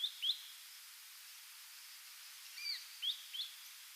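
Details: An Ashy drongo on Yonaguni Island, where it stops over on passage in some years, gives a few short, high, sharp chirps: two quick notes, then a slurred note and two more near the end, over steady hiss.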